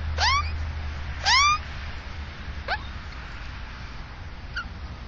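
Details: Australian magpie nest with chicks in south-east suburban Melbourne, Victoria, monitored by a camera taped above the nest: two strong rising calls close together, then fainter echoing calls fading away, over low hum.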